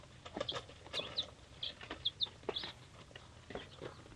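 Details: Three-day-old chicks from a hatchery, mixed breeds, chirping: piercing high peeps in quick pairs and runs, mixed with light tapping and movement noises.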